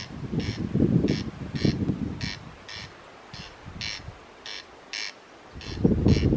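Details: Unseen Corn crake near a hostel on Colonsay, Scotland, giving its dry, rasping double crex-crex, repeated steadily about twice a second, over a low rumble of wind or distant noise.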